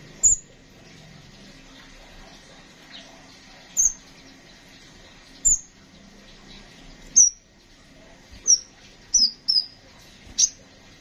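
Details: Kolibri ninja sunbird calling: brief piercing high-pitched chirps, spaced irregularly and sometimes in quick pairs near the end, over a quiet background with faint low bumps.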